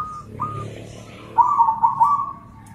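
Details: Zebra doves, local and crossbred, calling back and forth: two brief soft whistled notes, then a loud rolling, bubbling trill that fades into a drawn-out tone.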